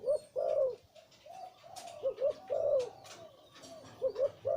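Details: Breeding male zebra dove with a deep voice; low, soft rolling coos in groups, with a pair of quick notes, then a longer purring coo, repeated several times.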